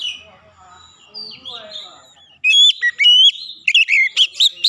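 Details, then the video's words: Oriental magpie-robin in clear song, played as a lure so silent magpie-robins join in; a soft, faint warble opens, then loud piercing whistles and quick chirped notes repeat in lively bursts to the end. "kicauan jernih Kacer pemikat | KACER macet bunyi langsung ikutan gacor"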